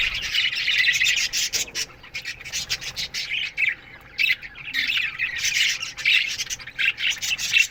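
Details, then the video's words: An aviary flock of budgerigars in the morning, chirping and squawking in uneven bursts of high, scratchy notes that rise and fall in loudness, with short lulls in between. "Budgies Morning Chirping Sounds"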